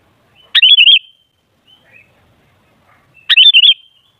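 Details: Two rippling, bubbly phrases from a sooty-headed bulbul, nearly three seconds apart, from a recording used to lure bulbuls into singing.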